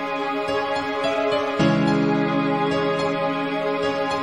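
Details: Soft, sustained instrumental music with held harmonic tones and a swell midway; no animal sound.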